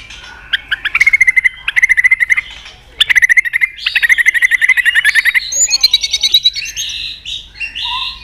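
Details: Caged-style competitive song of a White-rumped shama stirred to fire up: rapid ticking trills at mid pitch in bursts, shifting to higher buzzy phrases and a low whistled note near the end.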